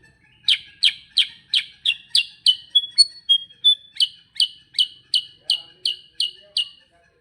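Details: Sooty-headed bulbul in full 'gacor ngerol' song: a fast, steady run of about seventeen sharp, bright chirps, roughly three per second, with a few clear whistled notes slipped in midway.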